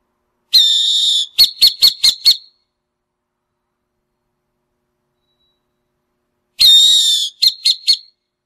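Burrowing owl gives two bouts, each a long, harsh, high rasping note followed by four or five quick chattering chips, about six seconds apart.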